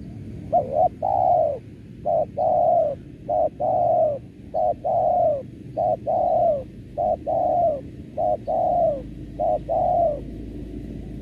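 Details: Spotted dove cooing, used as a lure sound for trapping doves: soft, hollow low coos, often in groups of two or three, repeating steadily over a faint background hum.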